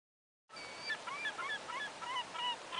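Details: Semipalmated Sandpipers chatter on a sandbar between Chebeague and Little Chebeague in August 2009: many short, husky chirps and rising notes overlapping in a steady stream, with a soft background hiss.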